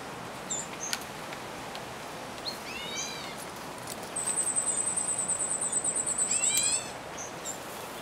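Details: Black bulbul, red-billed form, gives two nasal, mewing notes, each dropping in pitch, against a thin, very high, rapid trill lasting a few seconds and scattered faint clicks.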